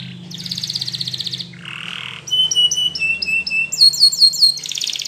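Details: Spanish Timbrado canary in training song: a buzzy rapid trill, a short harsher rattle, then a sequence of clear clipped notes, some stepping higher, ending in another dense trill.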